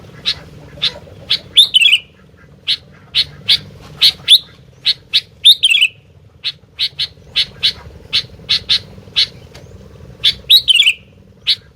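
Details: Sooty-headed bulbul in lively song: a series of short sharp clipped notes at irregular intervals, punctuated by several brief bubbly descending phrases, with a faint steady hum in the background.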